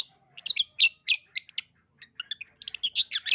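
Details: Lure recording of a long-tailed shrike meant to trigger singing in young shrikes: a fast, varied jumble of scratchy chirps, trills and thin whistles with a brief pause midway before a denser chatter.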